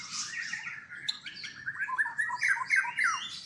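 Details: White-rumped shama at a captive breeding farm in Palembang, Indonesia: a rapid, jumbled stream of chirps and warbled notes, with a low steady hum underneath.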